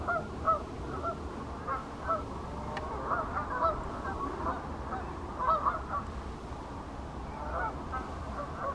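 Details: Pink-footed geese at Wyver Lane: a dense flock chorus of overlapping high, yelping honks, many birds calling at once without pause, with a steady low rumble of background noise underneath.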